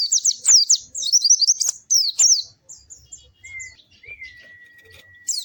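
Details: White-eye, locally called pleci, in melodious song: a burst of high, down-slurred twittering notes and tangled chatter, then a thin, steady lower whistle that is held for over a second.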